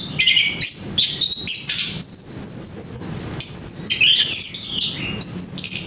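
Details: Continuous melodious song of an orange-headed thrush, packed with quick high whistles, rising and falling slurs and brief chirps, changing phrase every fraction of a second.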